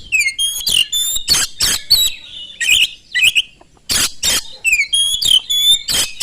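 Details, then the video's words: Loud, continuous Oriental magpie-robin song meant to lure other magpie-robins into singing, packed with high whistled slurs alternating with dense harsh rasping notes in quick succession. "kacer gacor sangat cepat memancing kacer nyaut ikut gacor dengan suara tembus"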